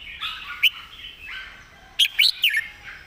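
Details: Red-whiskered bulbul master song, well phrased and clearly enunciated. A single sharp note comes early, then a quick cluster of three or four loud, bright whistled notes around the two-second mark, over soft background warbling.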